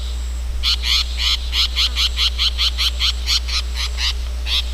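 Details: Wild long-tailed shrike in its natural habitat giving a steady series of harsh, raspy notes, roughly three per second for about four seconds, over a constant low hum.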